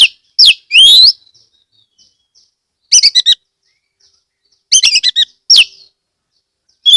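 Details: Loud lure song of an owned Oriental magpie-robin from Kebumen, Central Java, meant to draw other magpie-robins into singing: rising and falling whistled sweeps followed by quick clusters of bright chattering notes separated by short silences.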